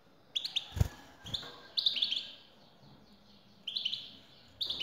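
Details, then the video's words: Goldfinch female, European species, calling to set a male singing: loud knock early, then three groups of twittering rising chirps separated by short silences. "حسونك سيغرد مع هده البثبثة Goldfinch singing"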